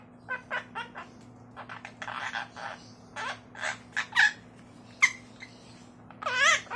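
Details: A pet monk parakeet talks in squeaky, nasal, speech-like syllables, mimicking family phrases such as its name "Guaiguai", "hello" and "come here", a dozen short bursts with brief pauses, over a steady low indoor hum.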